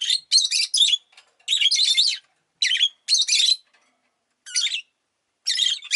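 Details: Rosy-faced lovebirds kept as pets, several calling often that day: bursts of scratchy, high chirps lasting about half a second, separated by short silences.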